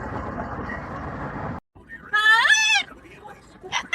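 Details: Pet yellow-naped amazon making noise during a commute: after road noise and a brief silence, one loud rising harmonic squawk-like call, followed by faint scattered sounds.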